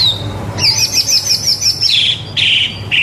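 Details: Song of a white-rumped shama meant as a model for young birds: a high, rapid rippling trill lasting over a second, followed by buzzy high notes and a soft whistle, with low hum behind.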